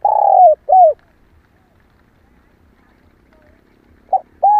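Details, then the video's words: Female spotted dove call meant to stir males: a long rolling coo and an arched coo, a quiet pause, then a short note and a flat coo, over a faint background hum. "Tiếng cu mái kích bổi nhanh nổi hiệu quả nhất."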